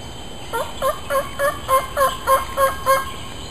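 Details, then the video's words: Male ruffed grouse responding to calling and coming close to a person, giving a steady series of nine short doubled notes, about three per second, with no other clear sounds. "Grouse Call"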